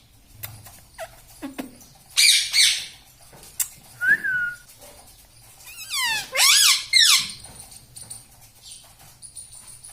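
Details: Talking pet parrot indoors, known for "mummy" and "papa": scattered clicks and short whistled notes, one clear falling whistle, then a burst of harsh, rising and falling voice-like calls.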